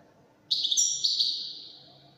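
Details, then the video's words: European goldfinch, Wedani song style: one short burst of high, sparkling twitter that melts into a sustained, fading whistle-like tone against a quiet background. "تغريد طائر الحسون الويداني"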